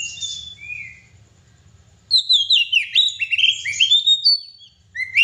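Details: Oriental magpie-robin (kacer) singing actively: a soft high whistle, a brief hush, then a loud rush of varied, overlapping high whistles and slurs, ending with a rising note.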